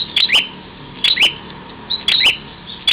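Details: Bar-winged prinia in Parigi, Ciamis, West Java, calling while battling its mirror image: doubled sharp chirps, each pair with a rising sweep, repeated about once a second, with faint indoor background noise.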